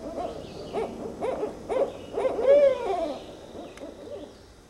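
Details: Low hoots from a Northern Barred Owl quicken and grow louder, then climax in an emphatic, downward-sliding note. The call trails off in softer hoots.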